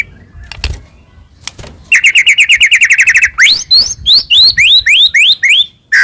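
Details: White-rumped shama song with many fill phrases, used as a lure to make another shama sing: faint knocks at first, then a rapid even trill and a quick series of rising whistled notes.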